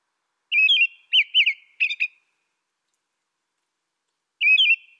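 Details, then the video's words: American robin singing: short whistled caroling phrases rising and falling, three quick phrases in a bout, then a pause of about two seconds before the next phrase starts. No other sounds. "canto de robin americano AMERICAN ROBIN"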